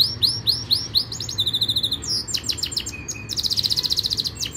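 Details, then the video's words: Yorkshire canary training song: repeated arching whistled notes, a short buzzy trill, clipped chirps, then a long fast rattling trill of evenly pulsed notes, with low steady hum beneath. "Most powerful Canary song | Rasmi Yorkshire canary song | best Canary training song"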